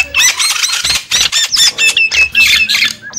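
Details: Javan myna lure call for attracting wild birds: harsh squawks mixed with sharp whistled notes and chattering bursts, delivered in rapid clustered phrases with brief gaps.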